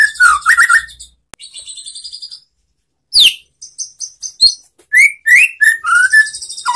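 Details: White-rumped shama (murai batu) lure song for coaxing post-moult or silent shamas to reply: varied whistled phrases, a thin high buzzy trill, sharp swept notes, then a string of rich upslurred and downslurred whistles.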